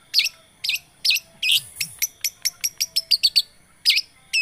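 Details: A long-tailed shrike lure meant to prompt a non-singing shrike to start: a few loud hooked notes, then a fast run of short high ticks, and a final emphatic note.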